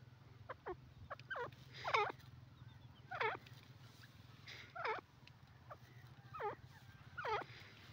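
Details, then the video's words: A francolin (teetar, described as yellow partridge) gives loud, looping, squeaky notes in irregular bursts, roughly one a second, over a steady low hum. "teetar ki awaaz voice yellow partridge voice"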